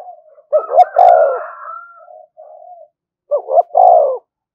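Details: Call of a spotted dove meant to provoke rival doves: a low phrase of two short clipped coos and one longer falling coo, repeated twice roughly three seconds apart, with quiet softer coo fragments between.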